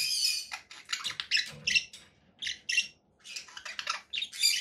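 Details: Conure parakeet calling with rapid harsh chirps and a few high squeaky notes, bursts broken by a brief pause midway.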